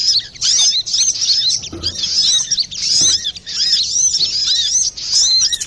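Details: Lively brown-throated sunbird song with a clear voice, used for luring or training birds; bursts of rapid, high chirps and arched whistles come in short phrases with brief gaps between them.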